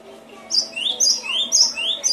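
A Cinereous tit sings quick two-note phrases, a high sharp note dropping to a lower slurred one, repeated about twice a second against a faint background hum.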